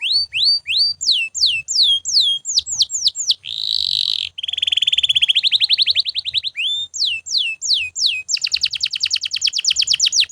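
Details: Canary singing without pause, meant to train other birds: repeated swooping whistles, a harsh buzzy burst, a fast rolling trill, then more slurred whistles and a rapid high rattle.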